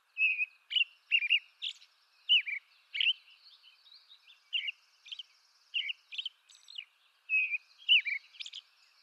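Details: Eastern North American robin carol: clear whistled phrases rising and dropping, given in short bursts separated by brief gaps, occasional softer high squeaky notes between, quiet surroundings with a faint high hiss.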